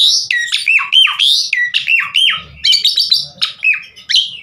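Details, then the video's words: Singing Javan pied starling, recorded as a lure to get other birds singing; swooping, slurred whistles give way to harsher, buzzier chattering notes after a brief pause. "Masteran Jalak Suren GACOR Bongkar Isian Buat Pancingan Burung Jalak Agar Cepat Gacor full Isian"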